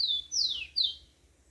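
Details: Yellow-bellied seedeater in the wild at daybreak giving a brief fragment of song: three high, clear slurred whistles, each sliding downward, over faint low background hum.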